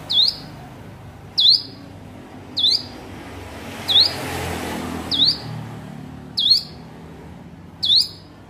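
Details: Hill prinia learning to sing, giving seven bright, rising chip notes at steady intervals of about 1.2 seconds, with a brief soft rush of noise midway.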